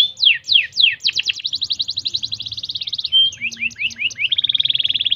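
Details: Canary song meant to stimulate canaries, opening with a few loud sweeping notes, then a rapid even trill, a short whistle and a closing fast rattle-like roll.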